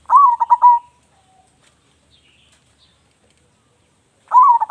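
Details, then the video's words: Local zebra dove with a big voice, kept as a lure bird, singing a quick cooing phrase: a rising coo followed by rapid broken coos and a drawn-out ending, then silence before the phrase begins again. "perkutut lokal gacor suara besar cocok untuk pancingan"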